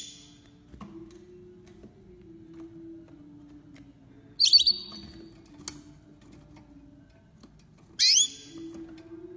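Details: Hybrid bred from a green Mozambique yellow-fronted canary father and a crested canary hen, 2020. Two short, clear whistled notes about four seconds apart, each a quick downward sweep that levels into a bright tone, over a steady low hum.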